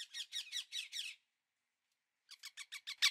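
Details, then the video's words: Indian ringneck parakeet calling in two bursts of rapid, rasping screeches, five or six notes each, separated by a second of silence. "1 hour parrot sound | ringneck"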